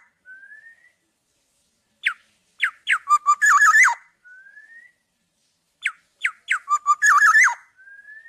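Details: Uncaged tame black-naped oriole: a soft rising whistle, then sharp descending notes building to a loud wavering fluty flourish, given twice with a quiet gap between.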